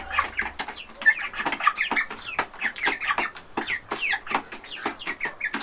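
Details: Chicks eating from a trough inside a large farm chicken house: dense overlapping clucks and short chirps, many birds calling at once in a busy, steady chatter.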